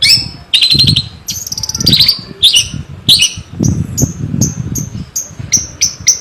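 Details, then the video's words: Javanese long-tailed shrike singing lively, full of varied fill-in phrases: a string of sharp, high chirps and short buzzy notes. Some are stacked, others fall quickly. Low background rumble runs beneath. "Kicauan terbaik cendet Jawa gacor full isian jernih"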